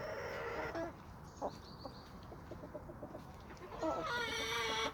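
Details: Homestead flock of chickens and roosters on a small suburban homestead with sandy soils in Toxandria. Harsh, harmonic squawking calls open and close the passage, with soft scattered clucks and quiet rustling between.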